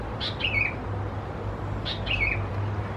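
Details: Young Sooty-headed bulbuls of subspecies thais at Khao Yoi, Phetchaburi province, Thailand, in June; two harsh squeaky notes, each a brief buzzy burst followed by a slurred downward whistle, about one and a half seconds apart over steady low hum.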